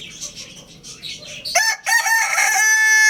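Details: Lohmann Brown rooster crowing loudly at Lalukhet bird market: after a stretch of busy high chirping from small caged birds, a harsh harmonic crow bursts in at mid-clip and holds to the end, with one brief break.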